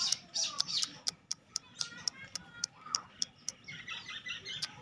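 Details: Black francolin (Francolinus francolinus) chick, Sindhi breed, gives short, very high, sharp peeps, about three to four a second, with faint softer chirps and background hiss between them.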